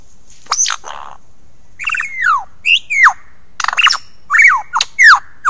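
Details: A male lyrebird sings a complex mimicking song to draw females close to admire his plumes, a varied medley of loud, clear notes: sharp descending whistles, rapid chattering bursts and squawks, shifting abruptly every half second or so.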